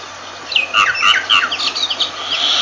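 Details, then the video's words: A myna makes a quick jumble of bubbling, down-sweeping whistles and chirps, ending in a higher, scratchy chatter. "Myna Bird sound Voice"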